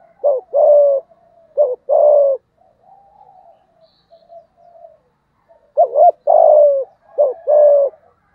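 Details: Deep-voiced spotted dove ('giọng thổ' style) giving cooing calls meant to draw out a rival wild male. Four low two-part coos: a brief quavering note, then a sustained hollow coo. Soft faint cooing fills the gaps.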